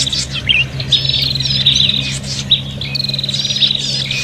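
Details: Agitated prinia calls of the fighting kind, played to lure birds: several high, thin chattering voices overlap in quick buzzy trills and squeaky notes throughout, above a constant low background drone.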